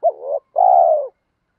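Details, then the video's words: One spotted dove coo phrase, used to stimulate doves in training: a sharp rising note that dips and wavers, a brief gap, then a long, smooth, slightly descending hum. "tiếng chim cu gáy kích bổi và tập mồi rất nhanh nổi hiệu quả cao"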